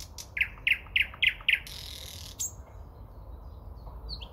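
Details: Early-May nightingale song near Moscow: five loud, repeated notes in an even rhythm, then a hissing buzzy stretch, a single sharp high note and quiet faint chirps.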